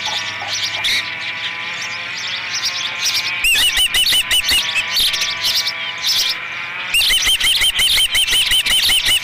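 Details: Osprey calling at its Dunrovin Ranch nest during the third feeding, 30 May 2016; two loud runs of sharp, arched, whistled chirps repeat quickly, separated by a softer stretch of mixed chatter.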